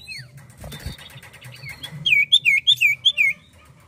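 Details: Actively singing Common Iora gives a run of six bright, swooping whistled notes, steady and evenly spaced, after a stretch of soft chirps and a brief thump, over a low hum.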